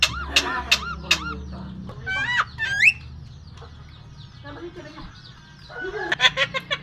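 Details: Myna mimicking coughing, laughing and human talking: loud harmonic squawks and rising whistled notes in two bursts separated by a quieter stretch of softer chatter.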